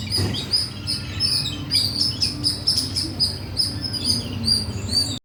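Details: Birds chirping in a lively flock, thin high tweets repeated every fraction of a second in overlapping bursts, with a dull low thump near the start and faint background hum.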